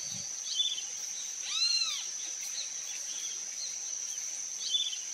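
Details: Blue-throated piping guan in the wild, one short arched note with stacked harmonics rising and falling early on, set against a constant shrill insect hum and scattered faint high chirps.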